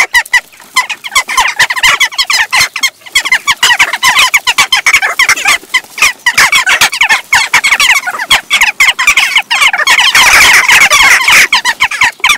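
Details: A large flock of Western jackdaws, adults with their young, taking over a feeding station in Recke, Germany, in June, quarrelling noisily; dense continuous chatter of harsh overlapping chak notes, about three or four per second, never pausing.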